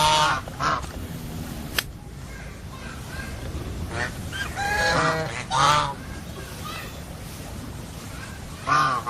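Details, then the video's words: Geese trading harsh, buzzy nasal honks, some short and clipped, others drawn out with a wavering rasp. Bursts are spaced a second or two apart, with a sharp click early on and low background hum. "Funny GEESE SOUND / Suara Binatang Lucu ANGSA Soang"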